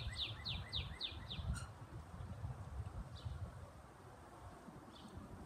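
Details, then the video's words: Female northern cardinal, brownish in colour, trying to attract a mate, opens with a quick run of five bright downslurred whistles, then falls to scattered faint notes over steady low background noise. "Female cardinal trying to attract its mate!"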